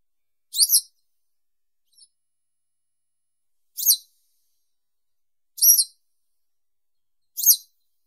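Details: Western yellow wagtail singing: four short, high, buzzy two-part chirps spaced about two seconds apart, with a faint tick between the first two, over otherwise silent background.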